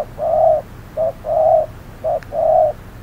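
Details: Caged decoy spotted dove calling during trapping on a hot midday, facing a wary wild dove. Low hooting coos come as a short note then a longer held note, the pair repeated about once a second.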